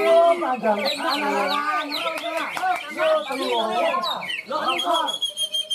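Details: At a singing contest in Malinau, North Kalimantan, Indonesia, a caged greater green leafbird (cucak ijo) pours out dense warbled phrases of stacked whistles and quick chirps, swooping notes, ending on high clear tones, amid rival birds.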